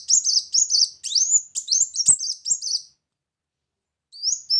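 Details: Brown-throated sunbird lure song: high, thin chirps between 4 and 8k, quick sweeping notes in rapid phrases, then a pause and a short final rising note.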